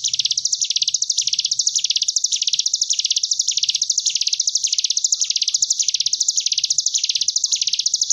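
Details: Caged Sunda bush warbler (ciblek gunung) tutor song in ngebren gelombang tawon style, meant for training young birds aged 10 days to 3 months: a continuous high, buzzy, rapid trill that swells and dips in waves about every 0.6 seconds.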